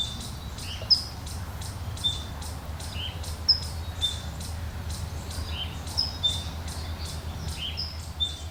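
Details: Alarm calls from two towhee species and a Bewick's wren, wild birds on a hillside outside Los Angeles: sharp high chips and brief whistles recurring about every second or two, over constant low environmental noise.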